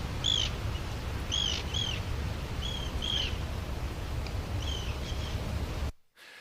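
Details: Migrating flock of Arctic terns recorded in Ireland in the morning; several sharp, high, downslurred calls scattered across six seconds over a low rumbling wind-like background.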